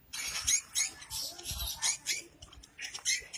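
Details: Lovebird in long ngekek chatter used to prompt other lovebirds to sing, fast harsh high chirring bursts repeated several times a second, with faint low thumps beneath.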